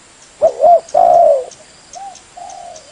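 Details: Spotted dove cooing, played to lure birds: two quick soft coos lead into a long, steady, hollow coo, then two fainter, shorter notes finish the phrase against a quiet background.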